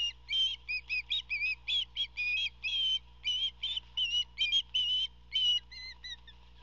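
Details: Eldest fledgling osprey chick at a nest near a salt marsh on the Georgia coast, June 14, 2021, gives rapid short high whistled chirps, about three per second, some slurred upward, while hungry and aggressive during the adult male's fish delivery.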